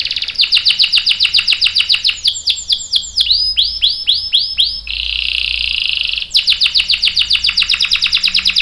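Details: Gacor canary song, long and rolling: rapid sweeping chirps, then looping whistled notes repeated about four times a second, a steady buzzy hum and a return to quick sweeping chirps.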